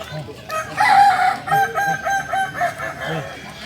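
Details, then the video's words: Kukuak Balenggek chicken from Solok in crowing performance practice: a loud opening note followed by a string of short, evenly spaced stepped syllables, repeated about twice a second, with fainter crowing behind. "Latihan prestasi Ayam kukuak balenggek ayam penyanyi asli Solok"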